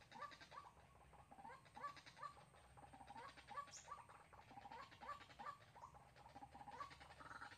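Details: White-breasted waterhen, recorded in Sóc Trăng on 2 February 2021 as a lure for trapping, giving short nasal notes in an uneven series, some overlapping, against a busy, noisy background.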